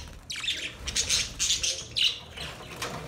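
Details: Budgerigars giving a mating call: scattered high chirps and squawky warbled notes in short bursts, with soft fluttering and rustling between calls.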